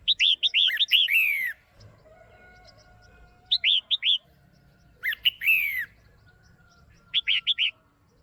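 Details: Caged female red-whiskered bulbul calling to stir a male or for pairing: a fast string of bright chirps ending in a down-slurred note, then short groups of three or four clear notes repeated over eight seconds.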